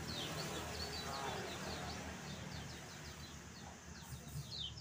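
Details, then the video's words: Lemon-bellied white-eye in full song, used as a lure to stimulate other birds to sing: a fast run of thin, high chirps, about four a second, over a steady low hum and background noise. "SUARA KECIAL KUNING GACOR NGEJOS"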